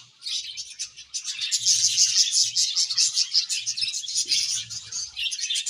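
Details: Budgerigars in a happy colony: a loud, unbroken wall of high, buzzy chirping and twittering, dense and fast, with faint low thumps underneath.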